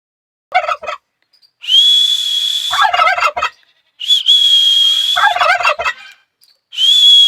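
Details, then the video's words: Turkey gobbling: rapid rattling bursts answer each long, steady, high whistled tone, alternating whistle then gobble several times, with short silences between. "turkey bird किस तरह आवाज निकालते हैं बोलते"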